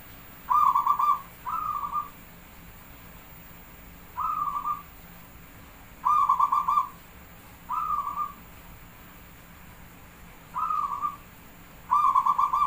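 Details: Javanese perkutut, the zebra dove, singing as a lure, its beats counted: seven mellow, stuttering coo phrases in uneven pairs and singles across about twelve seconds, each under a second long, with quiet gaps between them.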